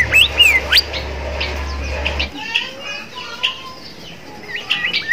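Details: Bimoli singing, meant as a master recording for young birds: a few bright whistled slurs at the start over a low hum, then softer scattered chirps and faint background voices.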